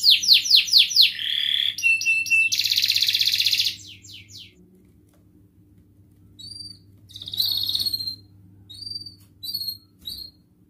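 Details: Gacor canary voicing ngerek, mbarong, cuit-cuit and ngerol styles as a lure for reluctant singers: quick sweeping notes and a loud grating rattle, then a pause and a few spaced high chirped calls.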